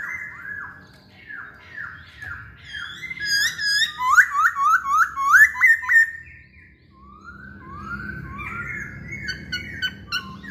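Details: Masked laughingthrush singing actively, used to lure other birds into song: runs of falling whistled notes, then a loud burst of rapid, rising slurred whistles with bright overtones, fading into softer descending whistles over a low background hum.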